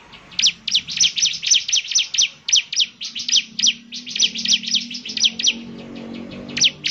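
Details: Vigorous Bar-winged prinia song: a steady, rapid series of sharp, high, downward-sliding chirps, evenly spaced, with a faint low background hum and a final isolated chirp.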